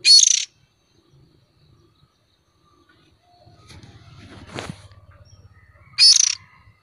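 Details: Young oriental magpie-robin used as a lure: two short, harsh, buzzy rasping bursts about six seconds apart, with a quiet gap holding faint murmuring and a brief low rumble between them.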